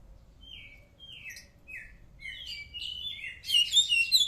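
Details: White-rumped shama song for getting other birds to reply: several clear descending whistles, then quickening warbled phrases building into a loud, dense chattering burst at the end, over a low background rumble.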